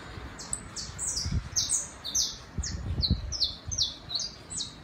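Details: City saffron finch, one of a tame pair on a terrace, delivers a fast run of about fourteen sharp, high, descending notes, with a few dull low thumps underneath.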